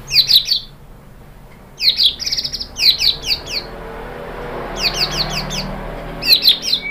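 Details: White-rumped shama lure song to provoke singing: short bursts of high, thin, buzzy clustered notes repeated in groups with gaps between, over a soft background hiss.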